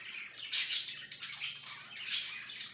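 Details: Budgerigar chirping: a bright, shrill double chirp opens the clip, a few softer scratchy notes follow, and another sharp chirp comes near the end over continuous high warbling.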